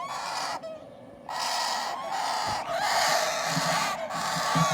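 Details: Begging parrot chicks during hand feeding make a coarse, buzzing chatter that drops out for most of a second early on, then resumes loud and continuous with faint higher whistles.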